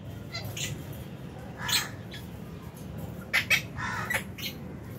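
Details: Lovebirds in an aviary colony, including albino, Fisher's and lutino birds, chirping at meal time in January 2023: short, bright, scratchy chirps and squawks in scattered bursts over a steady low background hum.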